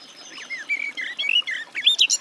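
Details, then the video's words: Short burst of garden warbler song, softer and slightly muffled, with a few slurred whistles and quick chirps rising toward a brighter, higher phrase at the end. "Warbler garden, birdsong"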